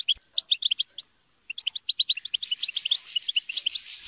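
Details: European goldfinch group chatter and squabbling, kept birds, used to stimulate singing: rapid bright twittering notes in bursts, dense overlapping tinkling from several birds in the second half.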